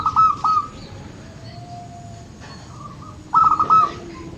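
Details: Zebra dove, local type, cooing to encourage birds that rarely sing: a stuttered whistled phrase, a softer lower drawn-out tone, then another burst of rapid fluttering notes ending level.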